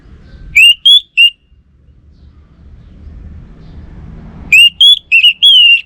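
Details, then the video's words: Orange-headed thrush in constant song: a triplet of loud clear whistles, a quiet gap, then a longer phrase of five whistled notes ending in a drawn-out slurred whistle. "Burung ANIS MERAH Lansung Nyaut Gacor Tanpa Henti"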